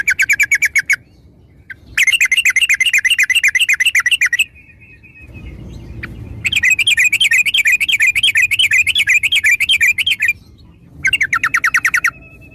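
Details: Sooty-headed bulbul, locally called trucuk, singing as a lure to get other birds to start singing: long, loud runs of rapid, wavering chattery notes, broken by short silences and a quick repeated phrase.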